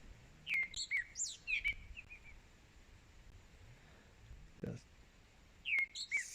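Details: A Groundscraper Thrush singing incessantly in a tree directly above a spotted hyena den at Mala Mala Game Reserve gives quick, high whistled phrases of chirpy, slurred notes, pausing a few seconds before resuming; a single dull thud sounds midway.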